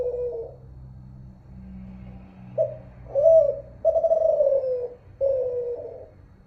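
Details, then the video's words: Zebra dove of the Kelantan voice type, called terkukur in Malaysia and derkuku in Indonesia, unedited: one falling coo, a quiet stretch with low hum, then a quick burst of short notes and two long, gently descending coos. "Suara terkukur @ derkuku mp3 tanpa edit.. Burung kalian auto nyahut"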